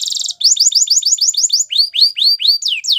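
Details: Canary song with a dense buzzy opening. Evenly spaced quick rising-falling notes follow, then broader sweeping notes and two long downward slurs, all high and loud.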